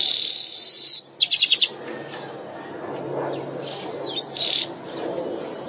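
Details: Lively weaver song, a bird for keepers' training: a harsh high buzz for one second, a quick burst of four or five clipped notes, then a hushed background with one more short buzzy burst.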